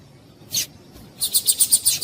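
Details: A female Yellow-bellied Seedeater (given as Sporophila caerulescens), a call used to stimulate males to sing, gives one sharp high chip, then a quick run of six thin, high chips about eight per second.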